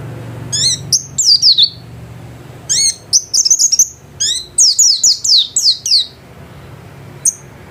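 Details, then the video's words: Caged white-eye in vigorous home-style song, delivering fast clusters of high, bright whistles and sharp down-slurred notes, roughly three to four per second in bursts, separated by brief pauses, over faint low hum. "Burung pleci gacor kelas rumahan"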